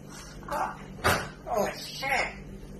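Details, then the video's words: African grey parrot indoors, swearing in imitation of human speech: a few short, voice-like syllables with one sharp louder burst in the middle, over a steady low hum in a small room. "African Grey Parrot swearing and hates noise"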